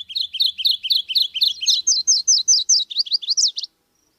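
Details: Song of the Subalpine warbler (Sylvia cantillans): a long chattering series of about twenty fast, high notes, shifting midway into higher, twisting, more varied notes before stopping abruptly.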